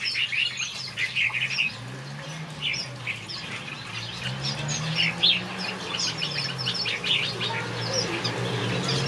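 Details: Chattering finch chorus in a backyard aviary. Rapid high chirps come in clusters, some louder and sharper, over a low, wavering hum that rises and falls beneath the birds.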